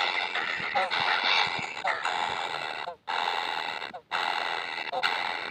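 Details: Baby kingfishers begging for food, described as never satisfied with their meals, give a continuous buzzy, harsh rasping chorus with only two brief pauses.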